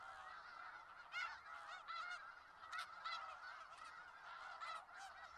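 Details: A large flock of snow geese in Skagit Valley fills the air with a constant babble of high, nasal, barking honks, overlapping without pause, with some louder honks standing out.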